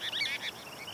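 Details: A group of Cassin's kingbirds (Tyrannus vociferans) communicating from perches on a hilltop open space in Orange, California, where they sally for insects, give harsh, burry, overlapping chatter in quick bursts, then fainter, thinner notes, against light outdoor hiss.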